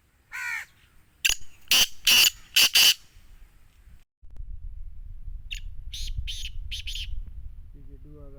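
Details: Black francolin, known locally as Sindhi teetar or kala teetar, giving a loud harsh phrase of five grating, buzzy notes, then a quieter repeat of the phrase over a low rumbling background.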